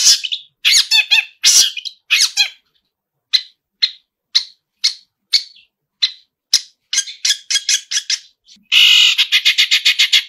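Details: Loud harsh bursts from a Long-tailed shrike singing a mimicry-filled song, followed by evenly spaced short chip notes and then a rapid rattling series of scratchy notes.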